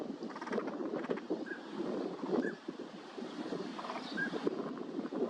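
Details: A wintering flock of Northern pintails at Junsai-ike green park, Chiba, Japan, in January 2026: brief fluty whistles rise over constant low chatter of quacks and murmurs, with wind rumbling throughout.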